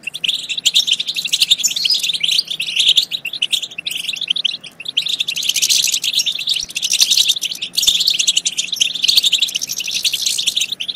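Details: Sustained European goldfinch twittering meant to stimulate goldfinches to sing and mate, a dense stream of bright, rapid chirps and trills with a softer stretch around four seconds.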